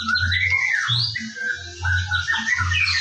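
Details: White-rumped shama singing in the morning to lure other birds into song: smooth rising and falling whistles with hissing high notes, set against a pulsing low background tone.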